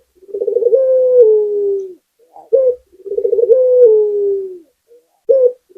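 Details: Local Barbary dove repeating its song: two phrases, each a rolling trill sliding into a long descending coo and each closed by a short sharp coo, spaced about three seconds apart.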